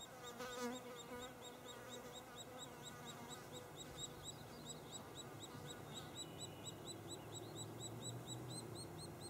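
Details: White-headed woodpeckers (Picoides albolarvatus) at a nest cavity in a snag at Lassen Volcanic National Park: a steady run of short, high chipping notes, about five a second, likely nestling chirping as a parent arrives to feed, over a low hum and brief lower murmur.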